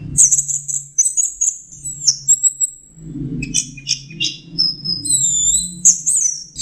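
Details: Orange-headed thrush in lively mixed song used to train songbirds: very high squeaky chips and thin whistles, dense clusters of sharp notes and long level tones, with low background rumble.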